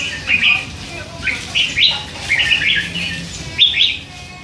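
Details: Three-month-old hand-reared red-whiskered bulbul in a cage, murmuring all day; a run of short, slurred chirps and brief warbles in loose clusters, fairly clear over a low background hum.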